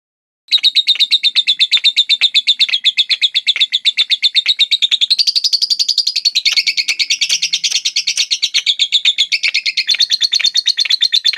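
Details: Batman-colour lovebird kept as a pet, singing a long-duration ngekek song: a fast, unbroken run of high, chattering chirps, roughly three per second, pitch band shifting slightly upward midway, with no other sounds.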